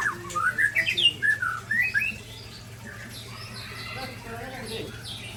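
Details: A white-rumped shama sings while sparring with a rival shama; the birds are Aceh's Ujong Pancu and Tangse types. A quick run of rising, slurred whistles fills the first two seconds, then fainter scattered notes follow.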